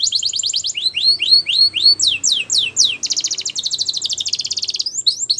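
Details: Singing male canary: arching whistled notes and falling sweeps give way to a long, fast buzzing trill, followed by further quick whistles.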